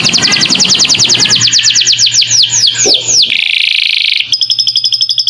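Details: Canary master song with lovebird-style fill-ins for training young birds: quick downward-sweeping whistles that spread out, then a hissing buzzy passage, a brief break, and a high trill, over a faint hum.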